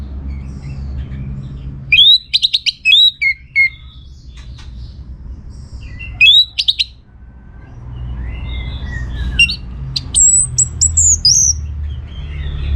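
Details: Orange-headed thrush song as a lure: loud bursts of sharp repeated high notes with quick trills, separated by quieter pauses, ending with descending whistles and very high slurred phrases; faint low hum beneath.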